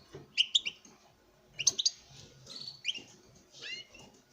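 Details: Breeding male European goldfinch performing for a female: scattered sharp twittering phrases and a downslurred buzzy note over a soft, noisy room background.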